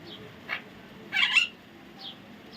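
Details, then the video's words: A single loud, raspy double screech from a baby parrot stands out among a few softer, brief calls. "natural funny parrot sound"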